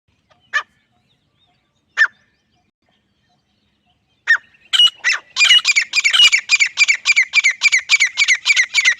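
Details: Female and male grey francolin: a few spaced, sharp single notes, then a rapid, accelerating burst of shrill, clipped notes packed several per second, harsh and high-pitched, with no other noticeable sounds.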